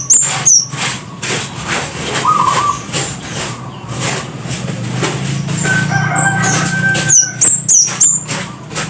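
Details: Scarlet-headed flowerpecker, known locally as kemade kepala merah or cit kersen, singing loudly: sharp, very high, slightly descending notes in quick bursts, with wing-flutter clatter and a few lower sustained whistles between them.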